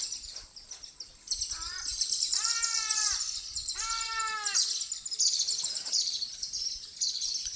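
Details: An ibis, apparently in flight, gives two bursts of loud, nasal, honking notes, each about a second long, over a steady high hiss of insects and background music.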